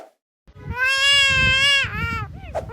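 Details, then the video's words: A Black-collared starling gives a long, nasal, wailing note that sounds like a crying baby, followed by shorter bending whines, with a low rumble underneath. "the Starling sounds exactly like a baby crying"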